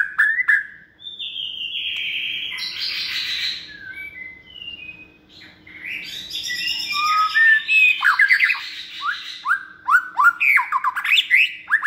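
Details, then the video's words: A second-season caged white-rumped shama, raised from a nestling and noted for many voices, pours out a rich medley of whistles, buzzy high trills and rapid downward-sweeping notes repeated about three per second. "chòe lửa dáng sẻ, hót cực bền nết chuẩn đấu giàn"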